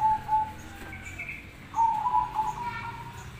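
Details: Zebra dove, local and crossbred birds, used as a master recording to draw other doves to answer: a steady low whistled note, then after a pause a rapid, slightly rising trilled coo phrase with a faint higher overtone.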